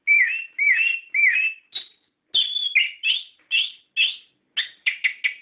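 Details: Captive-bird lure recording of an orange-headed thrush in full ngeplong song: three rising-falling slurred whistles, then a string of bright, slightly harsh phrases spaced about half a second apart, background quiet.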